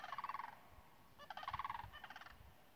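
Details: Sandhill crane during a mating dance, recorded from a distance with echo: loud, rolling, rattled bursts, three in under three seconds, each a fast run of throaty pulses, over a low background rumble.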